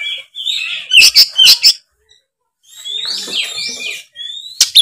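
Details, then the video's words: Oriental magpie-robin (kacer) in 'gacor' song: a drawn-out whistle, two loud sharp chips, a short gap, then soft rising and falling slurred whistles ending in a bright note. "suara kacer gacor full ngeplong"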